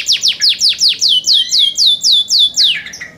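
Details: Clear song of young canaries in care: about a dozen sharp, downward-sweeping whistled notes repeated evenly four times a second, fading at the end.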